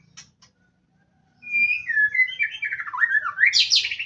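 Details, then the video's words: Male white-rumped shama singing in the wild: after two faint high ticks and a pause, a rich run of whistled phrases sliding up and down, ending in rapid, buzzy high warbles. "pastol brani lwan dwasa"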